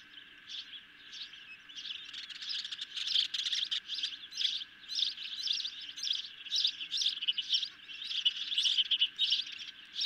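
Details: Feeding time for hungry ospreys at the nest, evening of 10 July 2021, with a medium-sized fish: a fairly soft, steady run of repeated high chirps, several a second, over constant background hiss.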